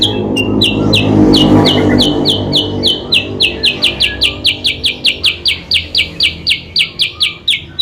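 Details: Sooty-headed bulbul, called kutilang sutra, uttering a lure call said to pull rivals in close. Steady train of crisp, high, repeated chirps about three per second, with a rushing noise early on that fades away.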